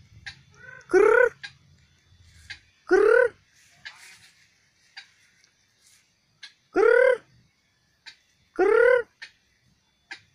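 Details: Wild White-breasted Waterhen at a spot where the birds usually come to bathe, in rice-field, swamp or forest habitat. It gives loud, hoarse, slurred croaks about every two seconds, with faint chips and rustles between.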